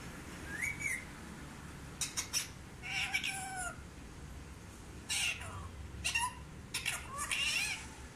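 An Indian ringneck parakeet talks in short, high, raspy word-like bursts, about six phrases over eight seconds, with rising and falling squeaky tones and a faint low hum.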